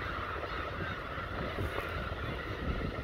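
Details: A dense, unbroken chorus of Black-tailed gulls at their protected breeding colony on Kabushima island, Hachinohe, Aomori, Japan: many nasal, mewing cries overlap into a steady din, over heavy low wind rumble.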